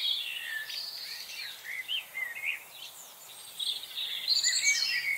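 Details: Excited chickadees in a busy frenzy, recorded on 25 November 2020: a tangle of high, thin chirps and short sweeping whistles, overlapping and irregular, with quiet gaps between bursts and a faint background hiss.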